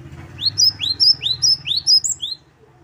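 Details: Training recording of a Great tit in 'wucit-wucit' style: a run of bright upward-sweeping high notes, repeated rhythmically about twice a second, over a steady low hum.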